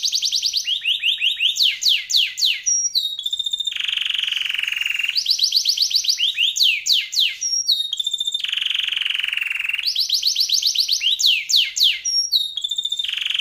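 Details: Canary singing a long, elaborate song used to train other birds: the same phrase comes three times, each with fast trills, swooping whistled slurs and a sustained low buzzing roll.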